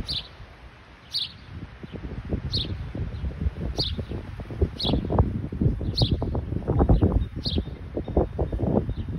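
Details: House sparrow in Michigan giving short, high chirps repeated about every 1.2 seconds, roughly eight in all, over steady low rumbling and rustling background noise.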